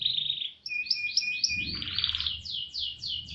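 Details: Canary roll song used to train other canaries: high trilled notes, a steady thin whistle, then a rapid series of repeated sweeping notes, with low background rumble.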